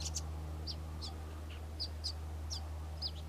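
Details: A Karoo scrub robin delivers short, high, squeaky chirps about twice a second, each a quick downward-slurred note, over a steady low hum.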